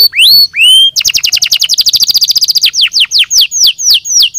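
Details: Canary song used as singing stimulation: two rising whistled notes, then a rapid even trill lasting nearly two seconds, ending in a series of falling, slurred whistles.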